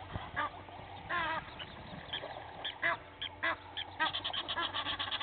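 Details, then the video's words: Two Egyptian goose families in a fight at a waterhole on Djuma Game Reserve, Sabi Sand, South Africa, around six in the morning; rapid, uneven honking with loud peaks, a constant low hum beneath. "Two Egyptian Goose families fighting"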